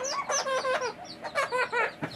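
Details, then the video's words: Male green Indian ringneck parrot kept as a pet, said to talk in Bangla and Hindi; a run of loud, nasal, squawking syllables in short bursts of rising and falling chatter, with music in the background. "Ringneck Talking Parrot Full Mosti || Cute And Funny Male Green Parrot Speak in Bangla/Hindi"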